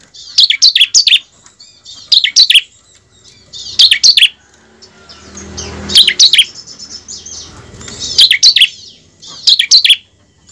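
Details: Bar-winged prinia singing high, sharp, chirping phrases of three or four quick notes, repeated roughly every two seconds over a faint low background hum, used as a lure to stimulate captive birds to sing.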